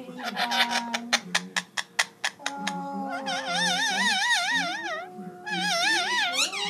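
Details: A pet Indian ringneck parakeet sings indoors: a quick run of sharp clicks, then long warbling whistles that waver up and down, over a few low steady tones.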